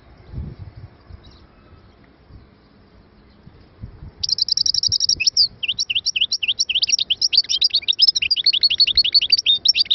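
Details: After four seconds of faint background noise, a European goldfinch bursts into a fast buzzy trill followed by continuous high-pitched twittering of rapid, varied chirps.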